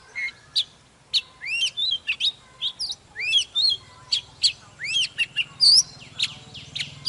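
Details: Old wild-caught Oriental magpie-robin singing and displaying, fired up: varied whistled phrases with upward-sweeping slurs and crisp high chips, delivered steadily, with a low hum in the background.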